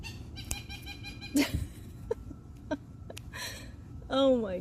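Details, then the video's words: A blue jay gives a harsh, nasal, laugh-like call that bends up and down, after scattered clicks and rasps, apparently calling for more peanuts when it sees the person in the yard; a woman's voice is heard faintly. "Bluejay sounds"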